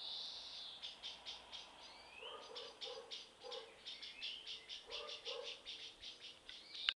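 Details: Courting common blackbirds give fast runs of high, sharp chipping notes, broken by lower, soft double clucks and a few brief rising slurred notes.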